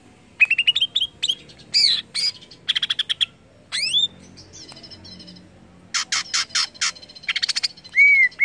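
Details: Greater green leafbird singing to spur other leafbirds into song, a lively jumble of bright rising whistles, rattling bursts and buzzy trills with brief pauses between phrases.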